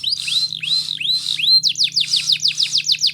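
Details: Canary song to encourage young canaries to sing: slow arched whistles repeated roughly every half second, shifting into quicker downward-slurred chirps.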